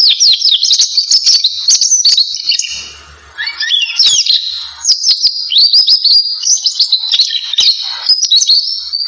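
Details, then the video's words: Belgian canary song, bright and high-pitched, full of fast chattering trills and sweeping whistled notes, briefly softening around the third second before the busy rolling phrases return and run to the end. "Canto do canário Belga"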